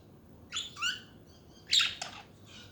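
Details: Budgerigars chattering: several short, buzzy warbled chirps in two small bursts, then a louder scratchy cluster and a fainter chirp at the end, over a quiet background hiss.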